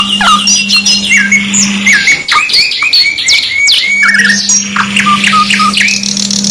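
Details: Caged canary singing a varied, rapid song of bright whistles, short trills and sharp upward and downward sweeps, with a steady low electrical hum underneath for most of the recording.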